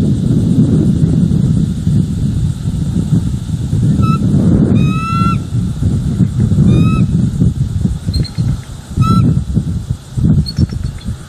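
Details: Wild bald eagle pair at a nest in Northeast Florida on 4 September 2023, during a morning of defending their territory, captured by a live nest cam: several high, thin chirping calls, some rising, over a strong rumbling wind.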